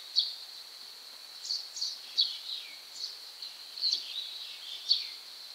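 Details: White-cheeked starling (Spodiopsar cineraceus) giving thin, high squeaky notes about every second, some dropping in pitch, over a steady high hiss. A starling was stuck in a shutter gap while two companions seemingly tried to help it by climbing on it.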